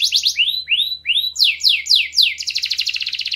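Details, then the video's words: Canary song meant to motivate other birds to sing: quick twittering notes, then slow whistled sweeps rising and falling, a run of descending slurred notes, ending in a fast, buzzy rolling trill. "تغريد كناري تحفيزي للطيور Canary tweet motivational for birds"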